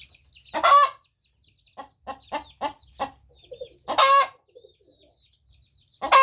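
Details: A female chicken crows in brief harsh bursts, with a quick run of five sharp clucks between the crows and one more crow cut off at the end.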